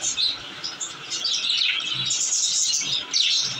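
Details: Pet budgerigars, described as happy with adorable babies, chirping in a dense, continuous chatter of high, scratchy warbles and quick tweets, overlapping calls from several birds filling the clip.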